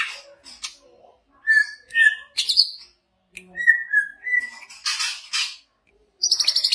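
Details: Greater green leafbird with a big body, from Banyuwangi, prized by songbird keepers for contests, gives a lively mix of short chirps, harsh raspy bursts and clear sustained whistles, ending in a rapid buzzy trill.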